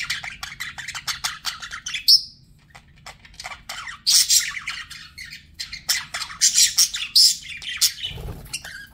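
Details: Budgerigar chatter: dense ticking, scratchy chirps and a sharp squeak, a quieter pause, then louder harsh squawky warbling near the end, with a brief low thump.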